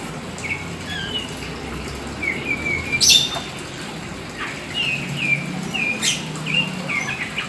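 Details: Black Oriental magpie-robin in vigorous song: short whistled notes and chirpy slurs given in small bursts, with a few loud high clicks and a low rumble behind.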